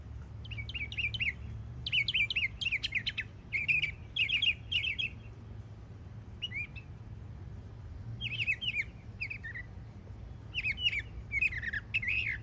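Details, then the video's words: Yearling Northern mockingbird singing hard in Florida: groups of rapid chirps and whistled phrases, each repeated several times, with short pauses between bursts across twelve seconds; low hum underneath. "Yearling Florida Mockingbird Goes Hard 🎶💯 Beautiful Songs"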